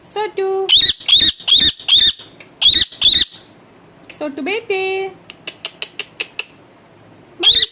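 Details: Pet parrot squawking in a quick harsh run of short, high rasping notes, broken by lower tonal speech-like sounds and a series of clicks, ending with one more squawk.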